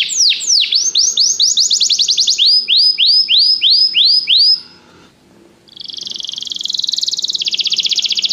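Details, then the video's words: Canary training song meant to stimulate singing: clear downward-sweeping whistles repeated rapidly, then a short pause, followed by a dense, fast high trill that drops slightly in pitch toward the end. "Este canto canário inspira o apetite do seu canário para cantar imediatamente"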